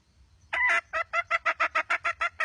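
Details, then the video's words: Red junglefowl hen calling: after a half-second hush, one long harsh cackle, then a steady run of short, raspy clucks repeated about five times a second, loud and close. "Suab poj qaib qus seev zoo"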